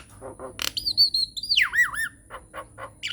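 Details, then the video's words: Nias hill myna lure song used to prompt other mynas into singing: a loud whistle held steady, then sliding down into looping wavy notes, with short harsh squawks and clicks before and after. "SUARA PANCINGAN JALAK NIAS GACOR BIKIN JALAK MACET LANGSUNG NYAUT"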